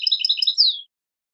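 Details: European goldfinch giving switty song meant to train goldfinches: a brisk run of high, bell-like double notes lasting about half a second, finished by a smooth downward whistled slur.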